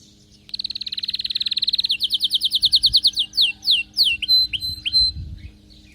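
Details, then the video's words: Excited canary in full song, opening with a fast rattling trill, then a series of descending slurred notes slowing down, ending in short falling whistles. "غناء كناري هايج ومولللعCanario -canary"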